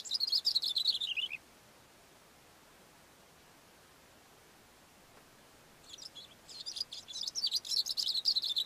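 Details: From a rock on a mountain slope, a Cape grassbird ends a phrase with fast high scratchy notes slurring downward, falls silent about four seconds, then launches a long energetic warble of rapid, high buzzy notes.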